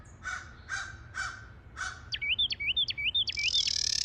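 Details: A Carolina wren pair duets in a January garden during counter-singing: the female gives four harsh, rasping chatter calls about half a second apart while the male sings clear, rising whistled phrases, rapidly repeated.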